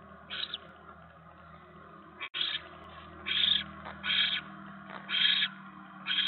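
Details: Barn owl at its nest during a mouse delivery, evening of 10 November 2017: short rasping hiss bursts repeated about once a second over a steady low hum, with a brief knock partway through.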